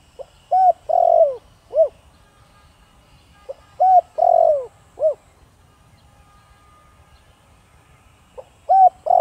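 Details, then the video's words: Spotted dove with the Thổ Đồng voice, cooing to provoke wild doves: three-part phrases of a short note, a long rolling coo and an arched falling note, repeated about every four seconds. "Cu gáy Thổ Đồng kích bổi nhanh nổi/Chim cu gáy giọng nhạy bổi/bổi nghe gáy như điên/cu rừng phản ứng"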